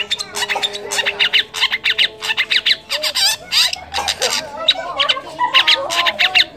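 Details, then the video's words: Long-tailed shrike imitating kolibri, trucukan, lakbet and canary in a songbird-training recording: a dense, chattering flow of fast scratchy notes and twittering trills with barely any gaps. "masteran burung cendet atau pented bayak isianya"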